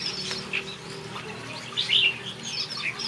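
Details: In a backyard aviary, a brief spell of finch song: a few bright, high chirps and a louder twittered phrase near two seconds, with faint wing flutters and soft background hum.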